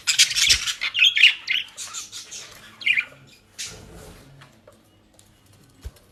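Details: Several pet budgerigars in South Holland, Netherlands, feeding on dry leaves and grass: a run of harsh, rapid chirps and squawks in the first three seconds, then only soft rustling and a single faint click.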